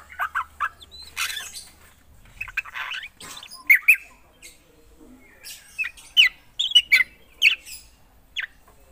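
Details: Actively singing black drongo gives a scattered mix of chattering and sharp whistled notes, quiet at times, then a cluster of loud, clipped calls near the end.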